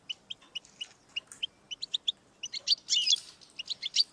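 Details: European goldfinch song played to stimulate a pet goldfinch: regular high double chips, then a louder buzzy twittering flourish.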